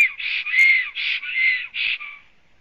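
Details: Black stork at its nest on a live nest camera in Latvia, morning of 24 April 2017, arriving and doing nest work; a series of about five harsh, nasal notes, each roughly a quarter-second long, ending with fainter trailing notes.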